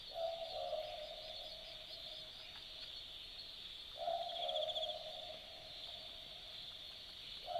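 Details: Two-note boo-book call of an Australian boobook at night in forest bush at Dharug: soft hooted pairs, second note dropping a little, spaced roughly four seconds apart, with a constant high insect drone behind.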